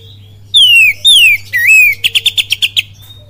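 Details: Oriental magpie-robin lure song, kapas tembak style from Cililin: two long clear whistles gliding down in pitch, a wavering upturned phrase, then a quick even series of about eight sharp bright notes, with low background hum.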